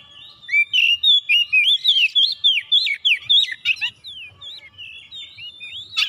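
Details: Oriental magpie-robin (kacer) in full gacor song, seeking an opponent: fast, fluid series of slurred whistles rising and falling, about three to four notes per second, ending in a short harsh rasp.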